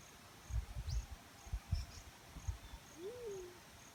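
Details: Black-chinned fruit dove giving a single low, hooting note that rises then slides down near the end, over low thumping noise and faint high insect ticks.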